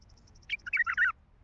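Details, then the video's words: Wild Baghdadi bulbul, described as heavy-throated, gives a brief warbled phrase of about five quick liquid notes that dip and rise, preceded by a faint, evenly spaced high ticking series. "تغريد بلبل وحشي بغدادي حنجره ثكيله"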